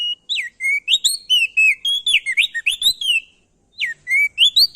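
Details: A male ashy tailorbird from Nusa Tenggara sings a loud, clear lure song meant to trigger singing in other birds: dense runs of swooping whistled notes, rising and falling, with one short gap before the phrase resumes.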